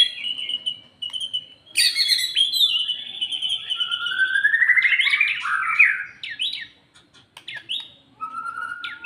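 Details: Post-moult White-rumped shama, its emotion and fighting spirit being gradually raised, sings loud varied phrases: long rising and falling whistles, sweeping slurs and sharp high notes, with brief pauses between bursts in a quiet setting.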